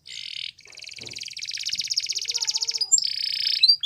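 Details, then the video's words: Belgian canary singing a bright, continuous high song: rapid buzzy trills and rolling pulsed phrases, a short gap near half a second, then sharper whistled notes toward the end, with faint low knocks in the background. "Belgian Canary Song"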